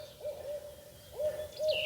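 Barred Owl giving a run of low, mellow hoots, each with a brief upward slur into a steady note, in two quick bursts; a faint higher whistle near the end.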